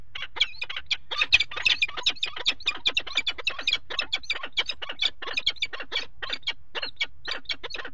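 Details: Continuous fast, scratchy cackling from peregrine falcons during mating on the ledge of a nest box on a water tower, 5 February 2018, dense run of harsh notes for eight seconds over low background noise.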